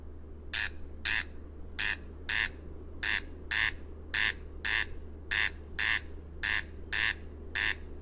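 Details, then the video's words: Corn crake (Crex crex) calling: harsh, rasping double notes, 'crex-crex', repeated about seven times in eight seconds at a steady pace, each pair sharp and buzzy, over a constant low hum. "Коростель (Голос/звуки) Crex crex"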